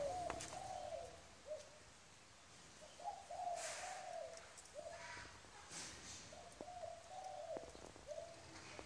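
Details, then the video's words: Spotted dove, a wild bird, cooing softly at a distance: low mellow notes in short phrases, repeated every few seconds, over steady background noise with occasional clicks. "Cu gáy bổi"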